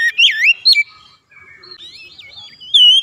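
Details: Oriental magpie-robin singing to stimulate caged birds: a couple of loud swooping whistles open, followed by softer, quieter warbled whistles, and a strong rising whistled phrase closes.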